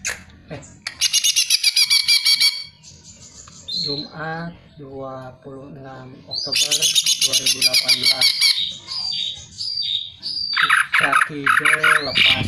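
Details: Greater green leafbird song played as a lure to prompt other birds to sing: bursts of dense, buzzy, high chattering trills alternate with a lower section of rapid, rising and falling harmonic notes, then more bright, fast twittering phrases.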